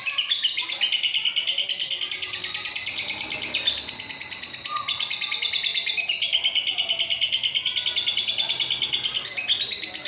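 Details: Lovebird in extended ngekek song, unedited recording. An unbroken stream of quick, shrill, buzzy notes, steady and fast-pulsed from start to end, with pitch rising and falling slightly in waves.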